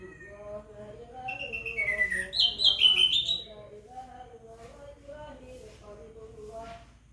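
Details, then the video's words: Orange-headed thrush prompted to sing by the call to prayer or Quran recitation: one short burst of bright, descending whistled notes, then only a sustained chanting voice continues. "Anis merah sholeh..asal demgar suara adzan atau orang mengaji langsung gacor"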